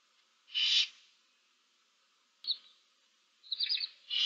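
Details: Barn owl chicks in a nest box, seven owlets, March 2024: a loud hiss, a short squeaky note, a buzzy wavering call, then another hiss beginning.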